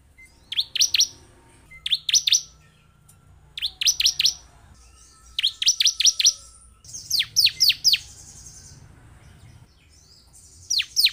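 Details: Repeated clusters of three to five sharp, high, descending chirps from a bar-winged prinia, bursts coming every second or two, played as a lure to make caged birds sing.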